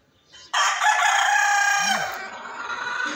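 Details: Rooster crowing: one long, loud, harsh crow held steady for about a second and a half before it fades into a lower trailing note, a short faint note just before it.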